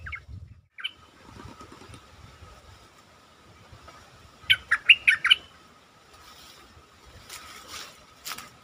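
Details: Caged stripe-throated bulbul giving a lure song: after faint single notes, one clear phrase of six quick bubbly notes, over a steady hum and brief rustling.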